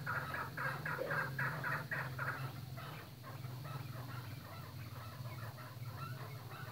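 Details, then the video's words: Chukar partridges kept on a breeding farm give a fast chattering series of harsh notes that is loud for three seconds and then trails off into fainter calls over a steady low rumble. "Chakor breading farm"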